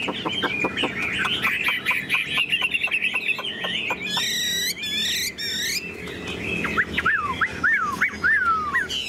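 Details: Tame Chinese hwamei singing in a carried cage: a quick run of clipped repeated notes, a burst of high trilled sweeps, then slurred whistles that drop in pitch.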